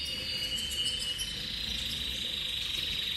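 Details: Singing canary, intense cobalt copper colour type, giving a continuous high, rapidly pulsed roll that stays level in pitch for several seconds against a soft constant background hiss.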